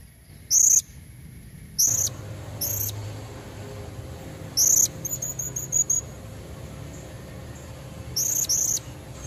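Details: Female blue-crowned hanging parrot calling to lure red-necked males: brief, thin, very high chirps in scattered bursts, a quick run of ticking notes near the middle, over a low steady background hum.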